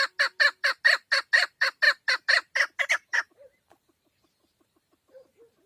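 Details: Roughly fourteen loud, rhythmic chucking notes from a female chukar partridge, delivered rapidly for three seconds before stopping abruptly, followed by a few faint soft notes.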